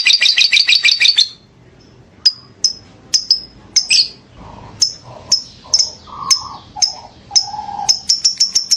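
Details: Lovebird singing, described as vigorous ngekek for tutoring: a short fast chattering trill, then a pause and scattered sharp high chirps mixed with lower, softer squeaky notes.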